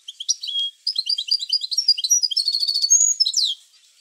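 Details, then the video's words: Continuous European goldfinch song meant to prompt singing in goldfinches, a lively, rapid string of high twittering and tinkling notes ending with a brief downward slurred note. "اروع بتبتة لتحفيز الحسون على التغريد"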